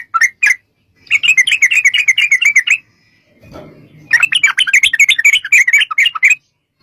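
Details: Yellow-vented bulbul (trucukan) singing a long, rapid 'ropel panjang' song used as a lure for bulbuls to reply; fast trilling chatter of bubbly notes in two long runs, split by a short rustling pause.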